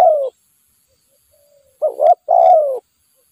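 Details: Spotted dove calling in the wild during decoy trapping. A trailing coo is followed, after a quiet pause, by a double short coo and a long falling coo, deep and mellow.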